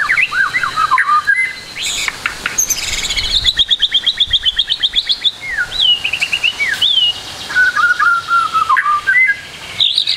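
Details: White-rumped shama song used as a training recording for young trotol birds. Varied loud whistles, falling slurs and a fast run of repeated sharp notes, then lower warbled phrases and a rising whistle at the end.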